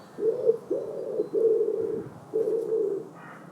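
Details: Common wood pigeon giving its distinctive coo of gruff tones with pauses between: four low, hooting notes, the first short and the next two longer and close together, then a brief gap before a final drawn-out tone.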